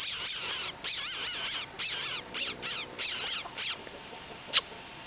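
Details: Greater coucal chick that fell from the nest, in a garden in Isaan, Thailand: a series of loud, harsh hissing bursts, each under a second long, then a single short click.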